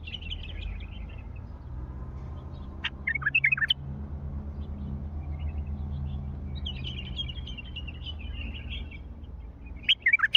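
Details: Wild bulbul recorded in Mandali, twice delivering a brisk cluster of loud, fluty whistled notes with sharp up-and-down slurs, separated by several seconds of steady low hum and distant high chattering of other birds.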